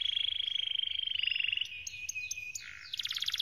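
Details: Canary training song: a long, even, rapid rolling trill held at one pitch, then scattered sharp clicks and a falling whistle, closing with a fast high-pitched trill; faint low hum underneath.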